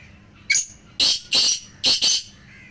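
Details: One black francolin phrase from a set of three birds meant to strengthen a pet francolin's calling: a short opening note, then four loud, harsh, buzzy notes in quick pairs.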